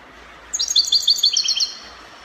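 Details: European goldfinch singing in the Spanish copia song style, Morocco: a single quick phrase of bright, tinkling, high twittered notes lasting about a second, rising sharply out of quiet and then stopping, over faint low background hiss.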